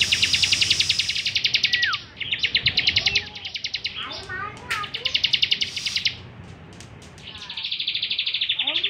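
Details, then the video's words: Bar-winged prinia, a kept songbird singing actively, recorded as a master song for training other songbirds: rapid high trilled bursts of sharp even notes. The bursts break off between them for a downslurred whistle and scattered chirps, with faint background murmur. "Ciblek Gacor Cocok buat Masteran"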